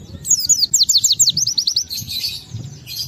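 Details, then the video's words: Oriental white-eye singing to provoke other white-eyes: a quick series of high, downward-slurred whistles at a steady rapid pace, fading into softer buzzy twittering. "Pleci Bahan Segera Ngalas Nembak dan Bongkar isian setelah diperdengarkan pleci gacor ini"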